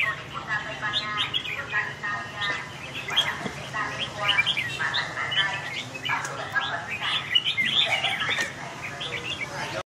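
Red-whiskered bulbul song: rich, bubbly whistled phrases given in quick bursts, with possible voices underneath.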